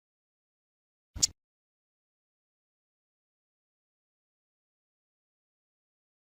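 Near silence broken once by a single short, sharp click about a second in, with nothing else heard.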